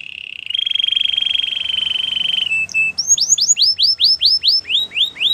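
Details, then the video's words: Spanish Timbrado canary singing: a steady buzzy trill held for about two seconds, a brief break, then a run of downward-sweeping whistled notes repeated about four times a second. "Melodies canary bird song | Spanish timbrado singing"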